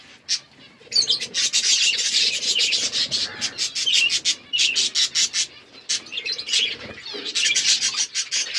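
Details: Budgerigars in an aviary, forest setting, keep up continuous high warbling chatter broken by sharp repeated clicks and fluttering wing sounds, dipping briefly then swelling again.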